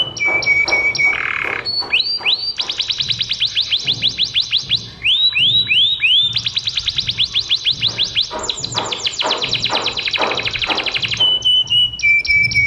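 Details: Canary singing, kept as a trainer for other birds: a fast, varied song of high trills, rapid rising sweeps and sharp chipping rolls, changing pattern every couple of seconds, with a low background hum throughout.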